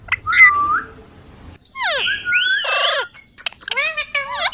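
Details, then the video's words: Ringneck parrot giving a loud whistled note, then buzzy squawking and sliding whistles, and finally a rapid burst of chattering, squeaky syllables. "Talking Parrot video|Ringneck parrot video|Parrot sound video|Parrot voice video"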